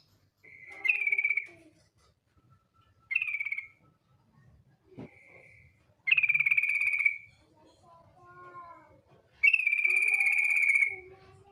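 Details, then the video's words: Female yellow-vented bulbul calling a male, used as a lure: repeated buzzy trills of rapidly pulsed notes, the longest lasting over a second, separated by quiet gaps with a few soft slurred notes. "TRUCUK BETINA memanggil JANTAN ngetir"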